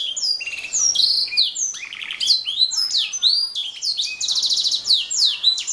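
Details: Canary singing continuously in a fast, varied song of high chirps, sweeping whistles and rapid trills, the phrases running together without pause and dominating the recording.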